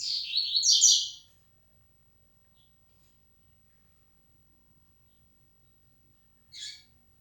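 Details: Yellow-bellied seedeater, 'flecha negra' type: a brief loud burst of fast buzzy twittering, a long silence, then one lone sharp chip.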